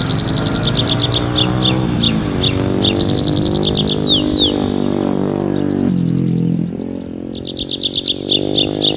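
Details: Nightingale singing at night in a forest: bursts of rapid repeated high notes and short whistled phrases, broken by a pause near six seconds, over a steady low droning hum.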